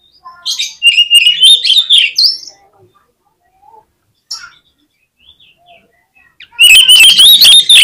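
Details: Oriental magpie-robin song: a burst of loud, high, rapidly warbled whistles, a quiet pause with a few faint notes, then another loud, high, buzzy run of fast whistled phrases.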